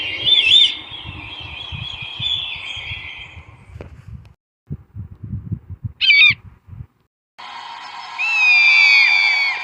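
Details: Brahminy kite gives drawn-out, wavering, high mewing squeals in three spliced bursts, with brief low thumps between them.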